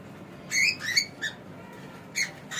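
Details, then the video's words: Pet cockatiel giving short squawky whistled calls, bright harmonic notes in a cluster near the start and then single sharp notes later, over a quiet room hiss. "This Cockatiel Has No Idea How Funny He Sounds!"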